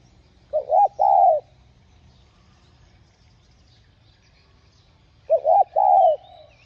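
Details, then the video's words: Spotted dove cooing, played to stimulate other doves to coo: two low mellow phrases about five seconds apart, each a quick double note followed by a longer, slightly falling hoot, over a quiet rural background. "Tiếng Cu Gáy Giọng Hạp BổI Đủ Bài [GỌI + THÚC + GÙ ] kích Bổi Nhanh Nổi.Mở lên là bổi gáy.cu đất gáy"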